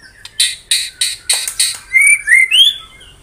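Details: Dense 'tembakan rapat' song of a white-rumped shama (murai batu): five harsh, scratchy blasts at even intervals, then three clear, rising whistled notes.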